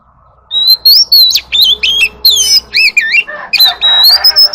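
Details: Oriental magpie-robin in flock-calling song: loud, clear whistles and twisting warbled notes, a harsh buzzy rasp near the end, over a low steady hum.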